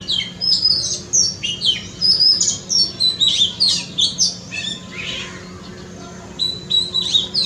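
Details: Oriental magpie-robin singing in a front yard: a varied run of sweet whistled and chattering phrases, high and bright, sounding in quick bursts about every half second with short pauses, over a faint low steady hum.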